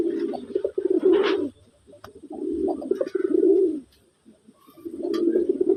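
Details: A powerful-voiced male domestic pigeon (Bangladeshi desi breed) gives deep, throaty cooing bursts, each over a second long, repeated after short pauses.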